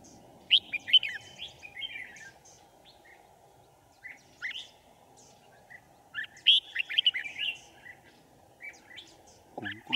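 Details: Red-whiskered bulbul decoy singing to lure wild birds into a trap, 5 January 2018: scattered short, bright warbled phrases and sharp notes, a denser burst midway, with low hum throughout and a voice starting at the end.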